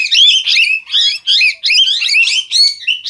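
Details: Rapid, shrill parrot chatter: grating, warbling squeals run almost without pause, several notes per second, jumbled and loud throughout.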